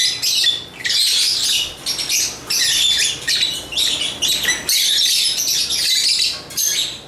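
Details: :African lovebirds (Agapornis) chirping and singing: dense bursts of shrill, scratchy high chatter lasting about a second each, broken by brief pauses, with overlapping squawks throughout.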